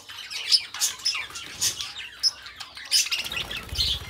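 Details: Two pet budgerigars kept as companions, singing and talking together: a dense stream of high, scratchy chirps, squeaks and warbled notes with brief louder squawks, overlapping continuously without clear pauses.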